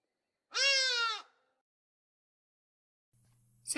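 A Hadeda Ibis gives one loud, nasal, drawn-out 'haaa' of under a second, then silence, a faint hum and a click.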